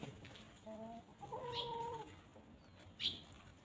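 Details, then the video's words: Free-range chickens grazing and pecking at grass on a peaceful farm: a brief nasal cluck followed by a longer, buzzy, level call, with two sharp high chirps from other birds nearby. "Chickens Pecking and Clucking"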